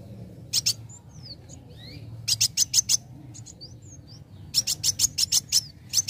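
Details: Young sunbird singing to provoke others: short clusters of sharp, very high chirps alternating with thin downward-sliding whistles and brief silences.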